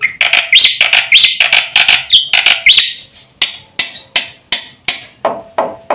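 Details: Fast full song of a black-winged myna, used to stir silent birds to sing: mixed whistles and rising squeals at first, then a series of sharp, dry, clicking notes repeated about twice a second.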